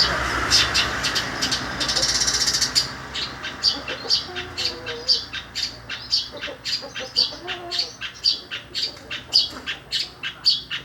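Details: Long-tailed shrike singing in imitation of a sparrow: high, sharp chirps repeated about twice a second in a steady series, opening with a brief burst of wing-flutter-like noise.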